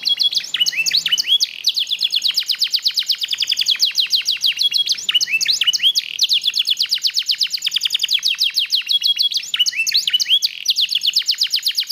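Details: Song of a black-red mosaic canary, a dense and continuous rapid trilling with repeated rolling phrases and bright whistled flourishes, high and loud throughout.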